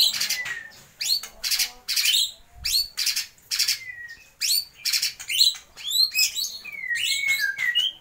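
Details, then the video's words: Harsh, broadband rasping bursts in quick succession mixed with sharp whistled upslurs and downslurs: a white-rumped shama imitating lovebird, kapas tembak and pijantung gunung. "MURAI BATU GACOR || TEMBAKAN Love bird,kapas tembak dan pijantung gunung"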